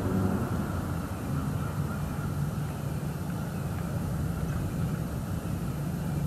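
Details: Dense low rumble of passing vehicles with a faint steady hiss, and no eagle or other animal calls are heard.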